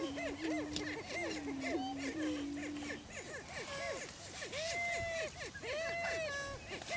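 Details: Several greater prairie chickens on a Washington County, Kansas lek, displaying for breeding territory: a dense run of short arched cackling calls over a low hum for three seconds, then longer drawn-out whoops.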